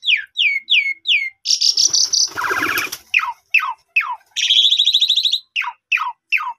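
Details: Asian pied starling lure song for stimulating caged birds to sing fully: a series of sharp, falling whistled notes about three per second, interrupted by a loud buzzy whistle, a harsh grating burst and a rattling trill.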